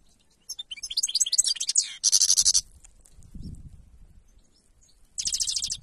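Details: Goldfinch singing in the wild: bursts of rapid, high, tinkling twittered notes, a dense buzzy rattling phrase, then a pause with low rumbling noise before another bright twittering burst.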